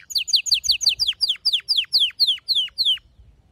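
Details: Pet canary song, male singing with a female calling for mating: about a dozen loud falling whistled notes, speeding up and then slowing. The recording is clean and indoors-quiet.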